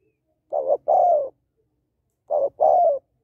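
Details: Calling female spotted dove, used to rouse males: two phrases, each a brief wavering coo followed by a longer, smooth, slightly descending coo, separated by silence.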